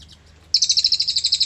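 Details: Brief burst of cililin song, used to prompt magpie robins: quiet at first, then a sudden high, rapid pulsing trill of about a dozen beats.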